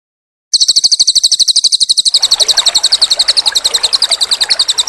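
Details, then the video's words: Cililin bird in a master training recording, singing lively with pauses, set with trickling water: a fast, steady run of thin, high chirping notes, nearly four a second, joined after two seconds by a soft continuous rush of running water. "MASTERAN BURUNG CILILIN GACOR JEDA GEMERICIK AIR"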